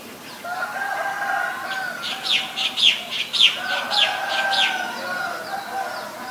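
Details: Female Asian koel calling: a run of about seven sharp, high, clipped notes in quick succession, rising and falling in loudness. Steady lower droning tones from other birds sound behind it.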